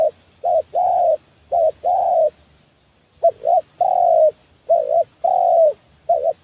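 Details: Lure cooing of a spotted dove for trapping birds: soft double coos alternating with longer smooth coos, a brief pause after the first three phrases, then the same pattern again.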